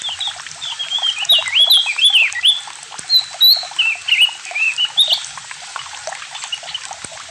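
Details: Javan grey-throated white-eye delivering ngalas and nyiul song: rapid, varied whistles that rise and dip, strung into a continuous chattering warble with brief breaks, then trailing off quietly.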